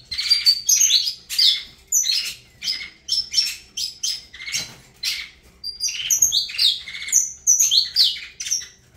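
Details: Saffron finch named Avalanche in full song, rapid chirped phrases with sharp high whistles, repeated in bursts about every second or two.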